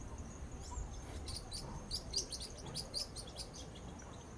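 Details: Blue-winged parrotlet, called tuim in Brazil, singing: rapid, thin, high chirps and short buzzy notes in irregular bursts, roughly a dozen over four seconds, above a low background rumble.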